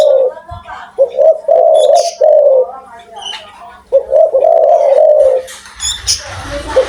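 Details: Strong-voiced spotted dove cooing a soft, rolling series of linked hoots, then after a pause a longer phrase ending in a drawn-out note; a brief thud and faint hiss near the end.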